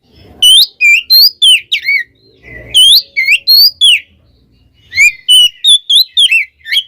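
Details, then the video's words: Lure song from twin Oriental magpie-robins aimed at angering other magpie-robins: three bursts of looping, sliding whistled notes separated by short pauses with faint low knocks. "suara burung Kacer kembar bikin Kacer lain kepancing EMOSInya"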